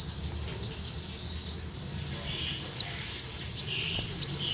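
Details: High-pitched olive-backed sunbird song played as bird-attracting lure: fast strings of thin, downslurred twittering notes, a short near-silent gap, then another rapid twittering phrase.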